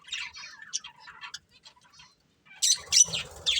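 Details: Breeding pair of pet budgerigars chirping: soft warbled chatter of short buzzy notes for two seconds, a brief pause, then louder harsh squawky chirps at the end.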